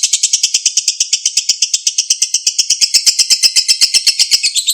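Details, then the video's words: Lovebird giving a long ngekek song, used to coax a silent lovebird into singing: a fast, high, metallic chatter of evenly spaced notes, about four per second, sustained without a break. "LOVEBIRD MACET, BISU KEMBALI NGEKEK PANJANG"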